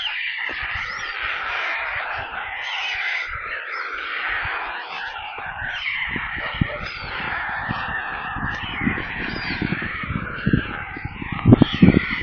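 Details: White stork chicks begging for food in their nest near Kaluga, Russia, on a live nest cam: a steady wheezy, scratchy chorus of screams with irregular low knocks and bumps throughout.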